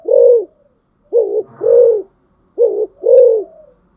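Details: Caged decoy spotted dove cooing steadily: two pairs of mellow low coos, each pair a short note followed by a fuller longer one, about a second apart, plus a faint low rumble.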